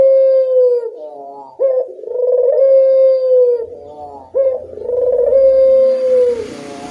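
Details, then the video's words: Local Barbary dove coo played as a lure to get other birds to answer: two low phrases, each a brief upward note, a purring roll and a long even hoot that fades, with light rustling noise near the end. "Suara pancingan burung puter lokal sangat mudah nyaut"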